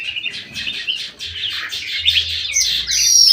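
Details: Bulbul in an aviary giving a fast chattering warble of repeated short notes, ending in a louder hissy rush of sound.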